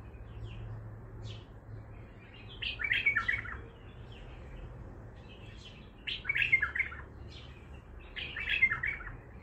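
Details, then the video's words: Baghdadi-style song from an untrained bulbul: three lively warbled phrases spaced about three seconds apart. Each phrase has fluty whistles run into a brief chatter, with soft background hum. "بلبل طور بغدادي خام"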